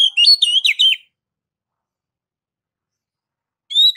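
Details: Oriental magpie-robin, kacer, song used as a lure to prompt birds to sing: a one-second burst of rich whistled, warbling notes jumping between pitches, then silence before a short whistled phrase resumes at the end.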